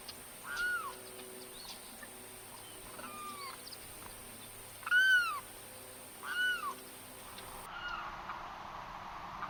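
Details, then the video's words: Limpkin, Florida year-round resident, wetland bird; loud shrieking calls mostly by males in breeding season, sometimes all night: four or five loud wailing screams, each rising then falling, spaced one to two seconds apart over faint hiss. "Limpkin The Calls and Sounds of Florida's Loudest Bird"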